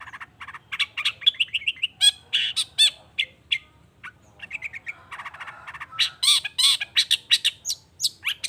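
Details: Long-tailed shrike in a dense, emotional lure song intended to spark answers from other shrikes: fast run of chattering chips, harsh squawks and ringing metallic notes, near three per second, with a brief lull midway.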